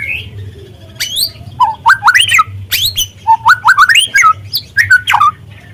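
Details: Young speckled white-rumped shama singing as a lure to make other birds sing: loud stepped whistles rising in short runs, mixed with sharp high chips and brief warbles, a faint low hum underneath.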